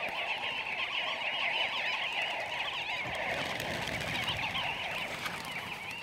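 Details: Namaqua sandgrouse flock from a sand dune habitat where birds fly far to soak their feathers with water; a dense, continuous chorus of overlapping liquid, warbling calls, steady and loud throughout.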